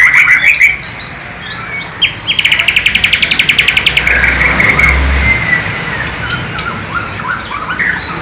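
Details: White-rumped shama of Borneo, East Kalimantan, singing its flycatcher-style (sikatan londo) imitation: scattered chirps, then a quick rattling trill of high notes and looser whistles, with a low rumbling background like passing traffic.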